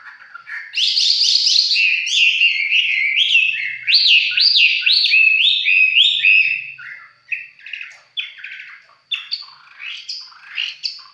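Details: Red-whiskered bulbul singing up close, a lively run of loud looping whistled notes that sweep up and down, followed by scattered shorter chirps and pauses.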